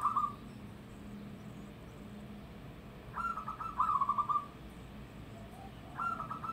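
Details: Local zebra dove, loud-voiced, giving short bursts of fast bubbling coos, a brief phrase at the start, a longer rolling phrase in the middle and another beginning at the end, separated by quiet low hum.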